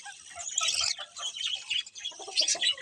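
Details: Colourful budgies chirping: a dense, overlapping chatter of high, scratchy warbles and short squeaks that rise and fall in bursts, with a brief lull near the middle.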